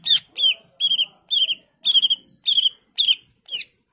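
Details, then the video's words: Greater green leafbird singing a varied lure song to coax other leafbirds to respond: a steady string of bright trilled chirps, about two per second, some doubled or stuttered. "Cucak ijo gacor full isian Variasi Cocok buat Pancingan agar Cak ijo lain Nyaut dan Gacor"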